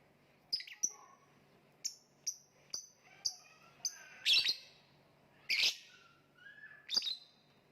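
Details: Lovebird calling: sharp, high chirps repeated at uneven intervals, with a few broader harsh screechy notes mixed in; quiet room background.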